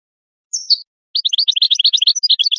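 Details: A high slurred goldfinch note drops in pitch, followed after a gap by a lively, scattered burst of quick, tinkling chirps that climb and jump between pitches.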